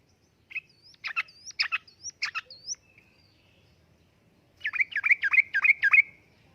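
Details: Yellow-vented bulbul 'uplik-uplik' song used to lure and tutor caged birds: sharp spaced notes with thin rising whistles between, then after a pause a tight burst of six quick bubbly notes.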